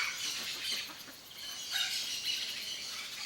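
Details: Wild Yellow-faced Parrots in Brazil's Cerrado giving harsh, scratchy, overlapping calls in a steady jumble, with brief louder squawks near the middle.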